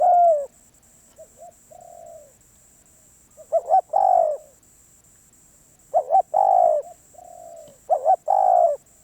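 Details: Spotted dove, a wild bird described as very wary: low hollow cooing phrases, a soft short coo followed by a doubled note and a long drawn-out coo, repeated with pauses; a faint steady high tone throughout.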